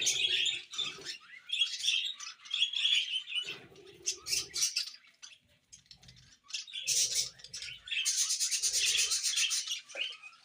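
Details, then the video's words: A pair of pet budgerigars chattering: dense, scratchy warbles and chirps mixed with short clicks and squeaks, with bursts of rapid high twittering and a few brief pauses. "Beautiful Budgie Couple"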